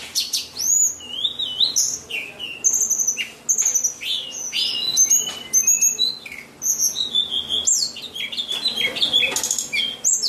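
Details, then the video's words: White-rumped shama pouring out varied song: high, clear whistles, steep downslurs and quick chattering notes in an unbroken flow, over a faint low hum. "murai batu, kicau burung, suara paling indah"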